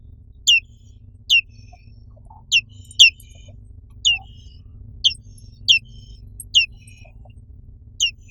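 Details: Black-capped White-eye (Zosterops atricapilla) gives high, thin downslurred chirps, single or in quick pairs, at uneven intervals over a faint low hum.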